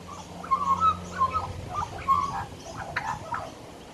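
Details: Regular male visitor on a back deck chatting to himself: a magpie pours out quick warbled and fluted notes in short groups, ending in softer, scratchier chatter, over a faint low hum.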